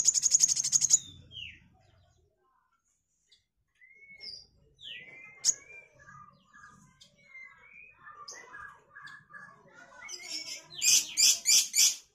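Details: Sunbird singing as a tutor recording for training songbirds: a burst of high chips, a quiet pause, then scattered thin whistles and short downslurred notes, building into loud, rapid, very high chattering at the end.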